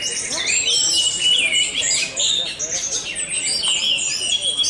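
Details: Orange-headed thrush at a bird-singing contest, Jateng Fest 2023 in Semarang, Indonesia, where this caged bird won outright; rapid high whistles and trills tumble continuously over a busy background of other contest birds and voices.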